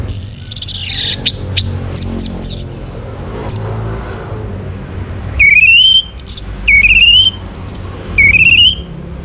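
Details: Orange-headed thrush song used to prompt other birds to sing: a long descending whistle, scattered sharp clicks, then loud rising slurred whistles repeated about once a second, with a low rumble beneath.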